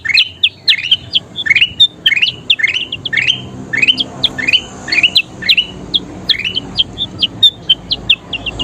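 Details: Kutilang emas bulbul singing actively, a recording meant for tutoring other songbirds: quick upward-sweeping chirps in a steady rapid series, some short high whistled notes between, and a soft low hum in the background.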